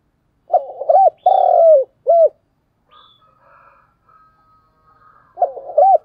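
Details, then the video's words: Spotted dove lure bird giving 'thúc gù' cooing with a country-style voice: a full phrase of burbling, arched coos, long rolling note and closing coo, then a pause with faint soft sounds before the next phrase begins. "cu gáy thúc gù, sung và rất căng// tiếng cu gáy mồi chuẩn"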